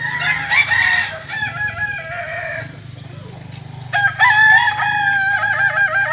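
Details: Solok native Kokok Balenggek chicken, a village breed prized for its multi-level crow: overlapping roosters give harmonic, wavering crows, a quieter gap, then a strong crow with rippling, stepped notes.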